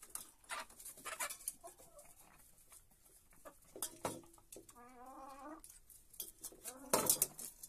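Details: Hens at breakfast time in a henhouse at dawn, pecking at grain; sharp pecking taps and rustling, then a harmonic, quavering cluck around the middle and a brief second call near the end.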